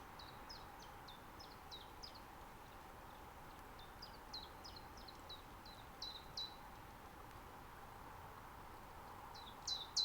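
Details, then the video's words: Common chiffchaff in a natural reserve in Estonia in mid-spring, recorded with a Zoom F6 and Sennheiser MKH 8040. Quiet runs of high, falling notes come about three per second, broken by pauses, over a steady low hiss. "Common Chiffchaff Sound Library"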